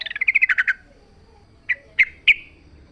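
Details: Yellow-vented bulbul in a natural setting with a quick descending trill of rolling notes, followed after a pause by three separate clear chirps.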